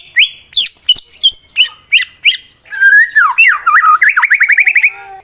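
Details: Male contest white-rumped shama sings to goad other shamas into fighting. A series of sharp, evenly spaced chirps leads into warbling slurred whistles. The song ends in a fast rising trill.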